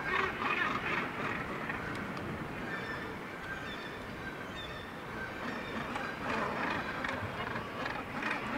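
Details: Breeding Northern gannets massed on the cliffs of Syltefjordstauran, Varanger, Norway; a constant din of overlapping harsh, grating calls from many birds, rising and falling in loudness.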